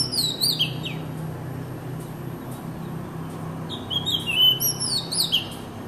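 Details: Magpie robin slow to sing, giving brief bright whistled phrases of sliding, descending notes, then a gap before another burst of sweet twittering whistles, over a steady low hum.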